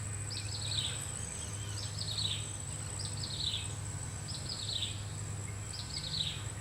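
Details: Common flameback woodpecker while foraging for food: short high descending chirpy note series repeated about once a second, five runs in all, over a steady low mechanical hum.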